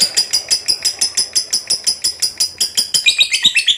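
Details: Vigorous fighter lovebird chattering in a rapid, evenly pulsed string of high, harsh notes, shifting into thinner, higher squeaks near the end.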